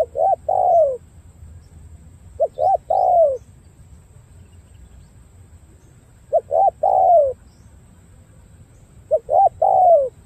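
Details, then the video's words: Well-patterned đồng gù cooing of a spotted dove from Cà Mau with dark purple legs: phrases of two or three quick notes ending in a long falling coo, four phrases separated by pauses of several seconds. "Đồng gù bài bản tốt chân tím đen"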